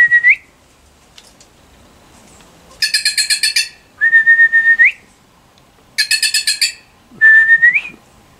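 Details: Wild bird, unused to people, approaching a person for food; loud song alternating a whistled note that rises at its end with rapid bursts of five or six harsh, rattling notes, repeated over and over.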